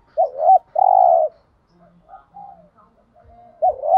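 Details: Spotted dove thúc gù cooing aimed at provoking rival doves to call: a short rising coo, a long full coo, soft trailing murmurs, then another rising coo starting.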